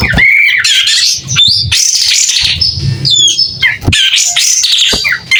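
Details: A White-rumped shama in vigorous song with its tail opened. Clear, varied whistles, sharp squeaks and slurred phrases arrive in quick bursts over a light low background hum.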